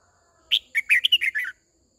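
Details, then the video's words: Decoy Red-whiskered bulbul, white-cheeked, sings one short phrase to call the flock and train newly caught birds: a bright first note followed by a rapid string of six warbled chirps dropping slightly in pitch, then silence. "Tiếng chim chào mào mồi hót gọi bầy đàn, hót luyện giọng cho chim bổi, má trắng"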